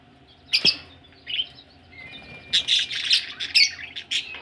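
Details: Several budgerigars, said to be ready for laying eggs, give a sharp click-like squawk, a soft chirp, then a busy run of squeaky, buzzy chatter.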